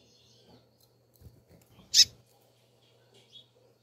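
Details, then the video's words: One intense, high, rasping chip from a calling female double-collared seedeater, with soft ticks and faint knocks around it and a low hum beneath. "Turbina Coleiro Fêmea piando chamando"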